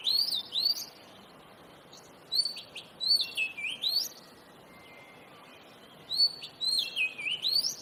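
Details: Oriental magpie-robin (kacer) singing loudly: three bursts of clear, rapidly varied whistles, each burst a tumbling series of rising and falling notes, separated by about a second of near silence.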